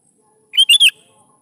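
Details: Sooty-headed bulbul phrase used as a lure for young birds: three rapid, ringing whistled notes, rising then falling, in a compact half-second burst over a quiet background.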